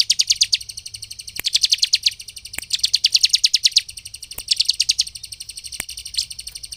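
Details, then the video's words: Vigorously singing bar-winged prinia, used as a lure to agitate other prinias into singing: bursts of fast, buzzy, high rattling notes, each lasting about a second, separated by brief pauses and a few sharp clicks. "Ciblek gacor untuk pancingan ciblek agar emosi dan cepat ngebren"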